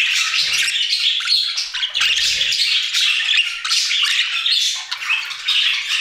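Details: Several budgerigars singing in an aviary: a dense, continuous chatter of scratchy warbles, squawks and chirps, with brief low thumps near the start and around two seconds.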